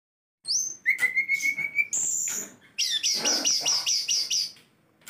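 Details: Tame, kept sulingan gunung with a varied repertoire singing: a high whistled note, a long flat whistle, then a rapid series of repeated high chirps, in a quiet room.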